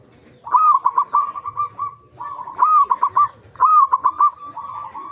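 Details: Local zebra dove singing on a lure recording intended to get other zebra doves singing: three phrases, each an upswept coo running into a fast chain of soft clipped notes.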